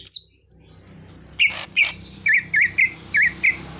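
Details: Greater green leafbird singing 'isian' mimicry, its repertoire including a car horn: after a brief opening whistle and a silence, a string of clipped, wavering whistled notes repeated at a steady pace.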